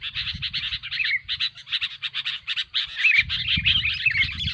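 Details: Sooty-headed bulbul noise for luring birds to a trap: choppy, evenly spaced scratchy bursts, then denser chatter with thin whistled slurs in the second half, low rumble underneath.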